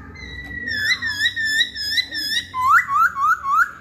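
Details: Hwamei song: a long steady whistle with wavering notes, followed by four loud looping upslurred whistled phrases, each repeated roughly every quarter second.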